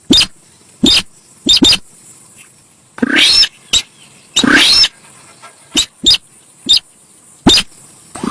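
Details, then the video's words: Javan pied starling chattering song for luring birds: scattered sharp clicking notes between two long screechy, rising phrases with whistled inflections, and a persistent thin high-pitched hiss in the background. "suara cruit cit cuit...burung SINTAR sawah"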